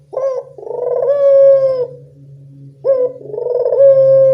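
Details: Evening calling of a Barbary dove, recorded as a lure for doves that rarely call: a brief opening note then a drawn-out vibrating coo, repeated twice, over a steady low electrical hum.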